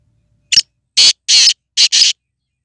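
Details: A Sindhi nasal kala tetar, the black francolin, gives its full crowing call: a brief sharp note, then four loud raspy notes, the second and third drawn out, the last two run together.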